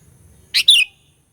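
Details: Sooty-headed bulbul, a lure bird singing to provoke rival bulbuls: two short, loud notes, a harsh burst followed by a clear downward-slurred whistle, over a faint low background hum.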